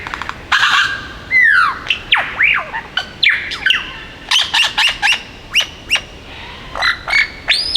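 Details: Male superb lyrebird perched on a log in Sherbrooke Forest, Dandenong Ranges, east of Melbourne, singing a rapid mimicry medley of about 15–20 species: sweeping whistles, downslurred notes and sharp chips, shifting voice every second or so.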